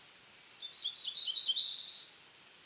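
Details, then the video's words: A black-throated blue warbler (Setophaga caerulescens) of eastern North America sings a high, buzzy phrase of quick notes lasting under two seconds, ending with a higher rising buzz, over faint background hiss. "Black-throated Blue Warbler Song"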